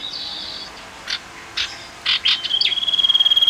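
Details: A tame male common iora, a small yellow bird, gives a few short bursts of chirping, then a long, accelerating high trill of rapid, evenly spaced notes at one steady pitch.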